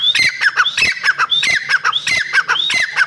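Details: Calls of a female black francolin used for hunting: a quick, dense run of raspy squawks, each group topped by a thin, rising whistle. They come slightly faster than once every second.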